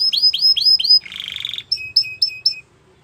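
A Belgian canary sings a fast run of bright descending chirps, then a buzzy rattling trill, then clipped high whistled notes, all quick and high-pitched.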